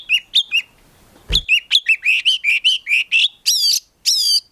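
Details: Oriental magpie-robin, a prospect collection bird, repeating short whistled notes in a steady series, then two harsh buzzy upslurred phrases. A single clack is heard early on.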